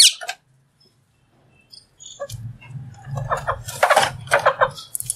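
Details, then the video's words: A green talking parrot, also shown eating, gives a sharp squawk, then after a pause a run of low, voice-like mimicked words in uneven bursts. "Green Parrot Talking | Talking Parrot Eating"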